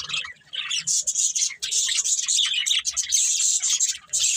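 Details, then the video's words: Pet budgerigars, a breeding pair, produce bright high chirps and squeaky warbling chatter almost continuously over a few seconds. "Cute Budgies Chirping Sounds"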